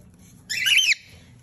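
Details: Angry pet cockatiel giving one harsh, raspy squawk lasting under half a second, loud against a quiet background.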